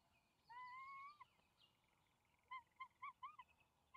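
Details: Juvenile bald eagles at their nest on May 28, 2020, as the male parent arrives with a fish and the two young eagles scramble for it. A long whistled note with harmonics, then a quick series of short clipped yelps.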